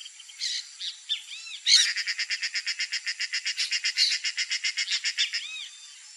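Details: Female snail kite giving a fast, dry rattling series of harsh, evenly spaced notes, about seven per second for roughly three and a half seconds, with short arched chirps from other birds before and after.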